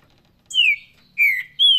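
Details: Paraná-style song of a green-winged saltator: three strong whistled phrases, the first two falling in pitch, the last starting higher and gliding down, separated by short pauses in a quiet setting.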